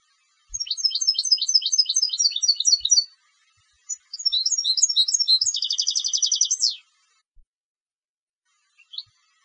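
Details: Contest goldfinch song in two phrases: quick repeated twittering notes, a brief gap, then more twitters running into a buzzy trill that drops away, followed by faint isolated chips.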